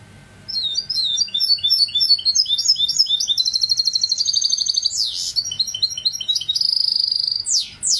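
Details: Goldfinch hybrid opening with a rapid twittering run, then a pulsing rattle, a sustained whistle, steep downward sweeps and a fast buzzy trill, closing on more sweeping notes.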